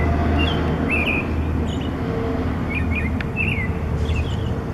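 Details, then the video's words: Perched on a wire in the morning, a bird repeats short twisting whistled notes in small clusters, partly masked by loud continuous engine-like hum. "Bird Singing in the Morning"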